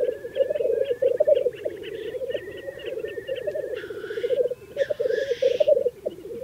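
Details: Lekking black grouse at a mating display in Teesdale, North Pennines, UK: continuous low rolling, bubbling coos form a dense pulsing chorus, broken by two harsh hissing rushes and thin higher notes above.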